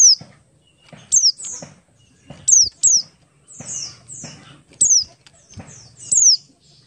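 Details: Buxtoni-type Oriental white-eye in ngalas song, played as a lure so other white-eyes start singing: rapid series of piercing, high downslurred whistles, often paired, spaced about a second apart, over low thumping and clattering noises.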